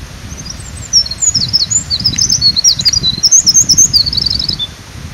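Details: Eurasian wren, a tiny bird bracing and arching back as it sings, pours out a loud, lively song by a streamside forest road: a long, very high cascade of rapid twittering notes and trills lasting about four seconds over a constant rush of water.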